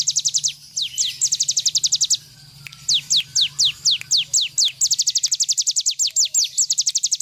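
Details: Full song of a cigun bird kept for teaching other birds: rapid trills of sharp high notes alternate with slower downward-sweeping whistles, a brief pause midway, then more quick repeated bursts; constant low hum in the background.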